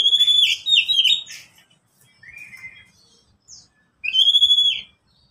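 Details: Caged Oriental magpie-robin, one of three pet birds answering one another. It gives loud, clear whistled phrases with quick trills, then a pause, a lower sliding whistle and a short note, then another bright burst near the end.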